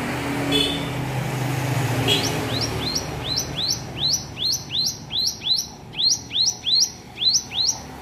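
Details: Young-sounding practice song of a hill prinia learning to sing: after a few hesitant notes, a steady series of about fourteen bright upward-sweeping whistles, roughly two per second, over soft low hum.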